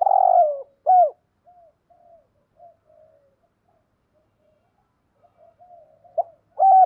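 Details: Spotted dove with a thổ-style voice, used as a decoy, cooing: a loud opening coo and a sharp second note, then soft low murmuring notes, ending with another loud emphatic coo.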